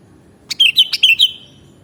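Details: Sooty-headed bulbul singing one quick phrase of about six bright, liquid, whistled notes that dip and bounce over roughly three-quarters of a second, clean against near silence.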